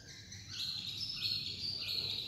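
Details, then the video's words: White-rumped shama delivering a rousing, many-phrased song: sustained sweet whistled notes with quick trills, against a constant low background hum. "CHÒE LỬA HÓT KÍCH NỔI NHIỀU DỌNG"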